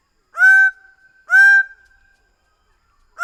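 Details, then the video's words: Greater bird-of-paradise giving two loud, harsh, nasal honking notes about a second apart, each a short flat blast trailing into a fainter held tone, with a third note starting at the end; background otherwise silent. "Greater bird of paradise sound"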